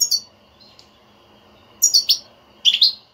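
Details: European goldfinch batbata, a stimulating chatter used to make a silent goldfinch sing: a high chirp, a pause, then two quick clusters of bright twittering notes near the end.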